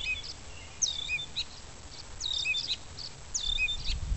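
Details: Banded gray catbird rehearsing song while imitating other birds; clear high squeaky phrases, each a sharp upsweep, a wavering note and a lower chirp, repeated three times roughly every 1.3 seconds over faint background hiss.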